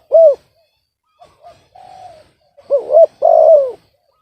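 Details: Spotted dove with a discordant voice. A single loud arched coo is followed by faint, softer coos, then a close phrase of stuttered notes, a hooked coo and a long rough falling coo.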